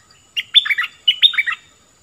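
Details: Short bulbul song of two matching phrases, each a quick run of three or four clear, falling, chirpy notes with a brief pause between them.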